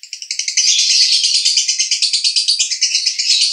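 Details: Male lovebird at Cibinong, Bogor, delivering konslet song: a loud, fast stream of high buzzy chirps that builds in the first half-second and then runs on unbroken.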